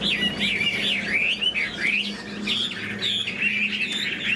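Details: A caged Chinese hwamei sings with spread tail and wing displays: big looping whistles that rise and fall in wide swoops, set over a steady low electrical hum.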